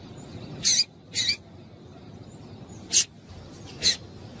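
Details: Female double-collared seedeater calls to excite males: two quick high chips, a pause, then two more separate sharp chips over a quiet noisy background.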